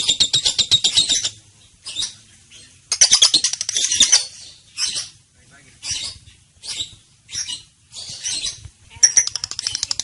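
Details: Young female lovebird chattering in long, rapid ngekek bursts of buzzy, ticking notes, each burst one to two seconds long with short pauses between; a training lure for other lovebirds.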